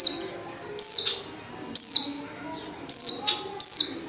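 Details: Calls of a female Oriental white-eye, used to lure males to sing, as loud high falling chirps repeated about four times in four seconds, each sharp onset sliding lower.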